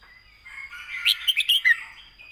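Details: Brief point-scoring phrase from a caged red-whiskered bulbul, used to train young birds: a quick run of bright, slurred whistled notes over a faint steady high tone.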